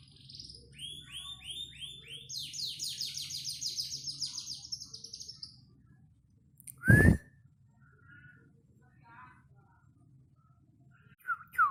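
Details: Song of a panda canary: rising slurred whistles, then a long, rapid trill of repeated downward-sweeping high notes lasting several seconds, followed by quiet and a single loud knock-like burst.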